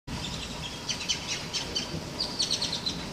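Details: Grackles calling during a storm, a loose series of short, high chirps scattered through steady rushing storm noise.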